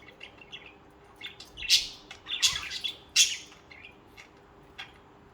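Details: Social budgerigars chirping together, a run of soft warbled chirps broken by three loud, harsh squawks in quick succession, with a faint steady hum behind.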